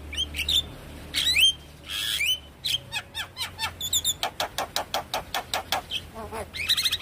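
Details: Javan myna song played as a lure to get another bird singing: harsh buzzy squawks with whistled tails, then a steady fast series of short clicking notes, ending in a scratchy burst.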